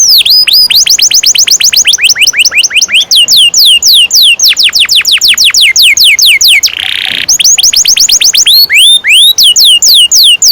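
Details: Canary song for teaching young birds, made of steady series of falling whistled sweeps repeated in runs, with a brief buzzy burst midway before the sweeping notes resume.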